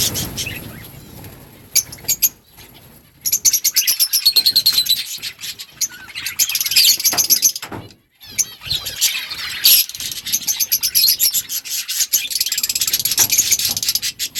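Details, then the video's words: Parakeets, or budgerigars, in a breeding colony chirp to each other: bursts of quick high chirps and twittering warbles come in clusters, broken by short quiet gaps, with a near-silent pause midway. "Budgies parrot chirping sounds parakeet talking to each other"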